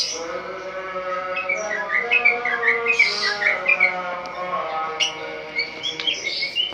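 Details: Caged white-rumped shama singing at dawn: a soft run of short whistled notes building into a louder varied phrase, followed by sparse high sharp clicks and chips.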